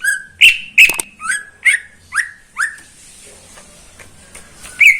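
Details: Caged greater green leafbird, heard in the morning, giving loud sharp notes that drop in pitch, repeated about every half second. A quiet stretch follows, then one more note.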